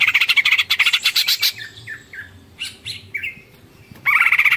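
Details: Greater green leafbird in ngekek panjang full tengkek style: a loud rapid buzzy chattering run of about one and a half seconds, a few scattered downslurred whistles, then the harsh chatter resumes.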